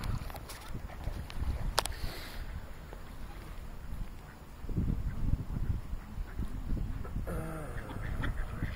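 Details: Mallard ducks and drakes on Tavistock Meadows Canal, Devon, England, give a few nasal, rasping quacks, clearest near the end, over a steady low rumble of wind or water.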